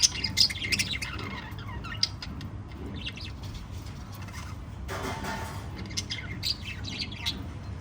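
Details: Lovebirds in a group of five give quick, sharp, high chirps in loose bursts, with a brief broadband rush midway and a constant low background rumble.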